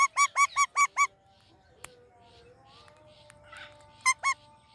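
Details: Indian ringneck parakeet, recorded alongside an Alexandrine parrot, giving harsh, harmonic chirps in a rapid run of five evenly spaced notes, then a pause with faint background murmur, followed by two more chirps.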